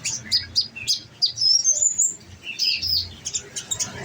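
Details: Olive-backed sunbird in captivity, fed nectar, singing: repeated high, thin chirps leading into a long rising whistle, then scratchy twittering, with a faint low hum underneath.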